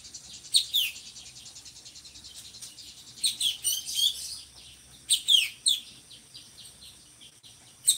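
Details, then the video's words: Singing drongo, a species kept by songbird hobbyists as a tutor for other birds; separate bursts of sharp, downslurred high chirps and chatter come every second or two, with quieter stretches between. "SRIGUNTING GACORRR"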